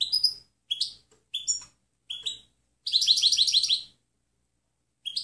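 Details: Clean goldfinch song used as a tutor recording for other birds: several separate sharp upslurred chirps spaced under a second apart, then a rapid, liquid twittering burst of about one second, with another chirp at the end.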